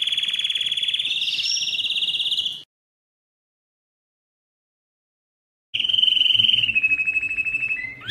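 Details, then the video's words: A Spanish Timbrado canary sings long, rapid metallic trills held steady at one pitch, broken by a silent gap, then resumes with a slightly falling rolled phrase. "canary singing timbrado"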